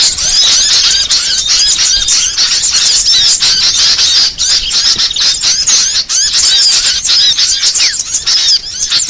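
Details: Varied small-bird song used to train songbirds: rapid, high twittering with rising and falling whistled notes and sharp chips, a nonstop, dense chorus filling the whole stretch.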